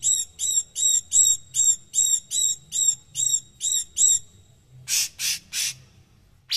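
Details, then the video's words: A fast, even series of about eleven clear, ringing notes, then three harsh, buzzy bursts, from a cucak cungkok kept to tutor other songbirds for its rough, tightly packed voice. "Burung Sejuta tembakan"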